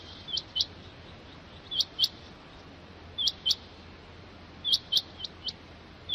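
Rain quail giving sharp, high, metallic double notes, 'which-which', each pair repeated about every one and a half seconds over a faint steady hiss.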